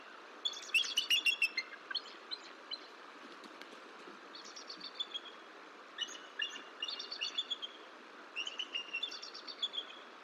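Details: Bald eagles calling to each other at the Decorah nest on an incubation morning in March 2023, female asking for a break, male replying; quick high staccato piping in irregular clusters over steady background hiss.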